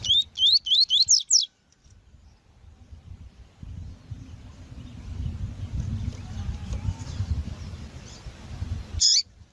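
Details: Female rusty-collared seedeater (coleiro tui-tui) calling to stimulate and pair males kept by breeders; five quick, sharp, upslurred whistled notes in about a second and a half, then low rumbling background noise and one last short note.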